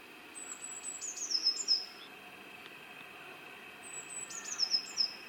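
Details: Eurasian blue tit singing in the wild: two song phrases about three seconds apart, each a few high thin introductory notes followed by a quick descending trill, over a quiet background.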